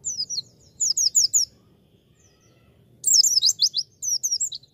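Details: Beginner training song of a pleci, a white-eye: short clusters of three or four high, thin slurred chirps, a silent gap, then a fast tumbling burst of shrill notes.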